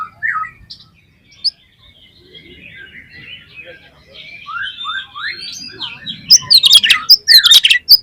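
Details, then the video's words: Oriental magpie-robin lure song, loud and continuous, meant to stir other magpie-robins into singing their repertoire; soft scattered whistles and rising slurred notes build to dense, sharp high chirps and trills in the final two seconds. "PANCINGAN KACER BOCOR ALUS ‼️ NGEPLONG BIKIN GAIRAH KACER LAIN CEPAT BONGKAR ISIAN"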